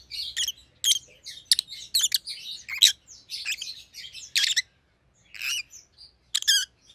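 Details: Rosy-faced lovebirds, white-headed pallid and green opaline colour forms, chirping busily with sharp repeated chirps and buzzy chatter, a brief pause, then more shrill calls.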